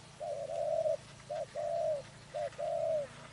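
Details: Spotted dove during trapping, giving low, mellow coos: a short note followed by a longer, level coo, three pairs in quick succession, with a faint low hum underneath.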